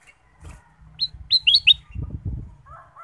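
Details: Lure song of a ruby-throated bulbul meant to set other birds singing: four clear, quickly dropping whistles, two nearly overlapping, over a steady low thumping and rustling background.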